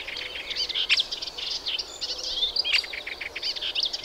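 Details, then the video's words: Fast, tumbling warble of a Melodious warbler: mixed sharp chirps, slurred whistles and grating notes strung into one lively unbroken phrase. "Hypolaïs polyglotte"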